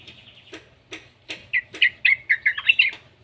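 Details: Young yellow-vented bulbul calling to prompt other bulbuls into song: a few spaced clicks at first, then a quickening series of loud, bright chirps, about ten in the final second and a half.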